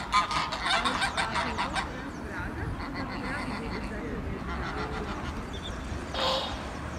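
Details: Greylag geese in a group with Egyptian geese on a river bank give a burst of harsh, nasal honks in the first two seconds, then softer scattered calls over steady flowing-water noise.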